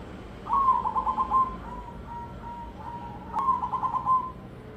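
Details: Crossbred zebra dove singing in the ketek dobel rhythm style: a vibrating trilled coo, then spaced single coos, then another trilled phrase, soft against a low hum.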